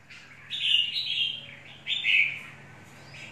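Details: A red-whiskered bulbul of untrained wild stock sings two longer, slurred whistled phrases, the first drawn out and wavering, the second shorter and rising then falling.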